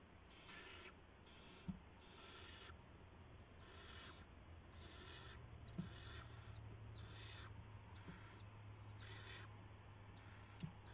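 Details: Barn owls at 3:10 AM, March 16, 2016, with a gopher brought to the owlets. Raspy hisses repeat in about ten bursts over a steady low hum, with occasional sharp clicks.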